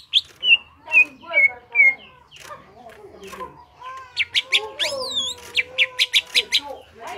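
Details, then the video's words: Greater green leafbird singing actively in the ngentrok style, a reference for training other birds: four loud, clear whistles with a falling slur, then varied chattering notes and a fast series of sharp, high chips. "CUCAK IJO GACOR NGENTROK"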